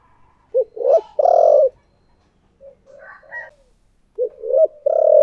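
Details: Decoy spotted dove in the 'thổ' voice: two coo phrases, each a clipped note, a rising note and a long vibrating coo, separated by softer scattered calls and a few higher chirps.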